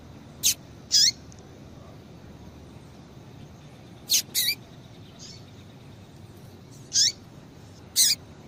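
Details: Female double-collared seedeater calling to get males singing: isolated high chirps in ones and twos, each ending in a falling slur, with long quiet gaps between.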